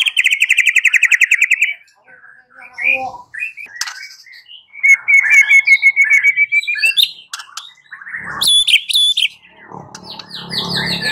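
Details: White-rumped shama song as a lure to draw a reply: a rapid trill of repeated whistled notes, scattered chips, a long sustained whistle, then high ringing notes and rough noise.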